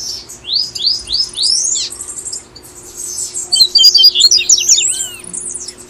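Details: Tui tui style song of a Brazilian double-collared seedeater, meant to prompt caged birds to sing: three or four rising high slurs, then bright chattering trills and a few lower curved whistles; constant low hum behind.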